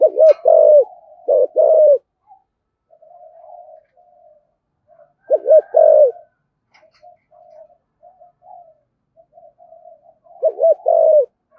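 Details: Deep-voiced 'giọng thổ' spotted dove, kept to coax wild-caught doves into cooing, giving three widely spaced phrases of hooked double notes and a longer coo, with faint low cooing in the pauses.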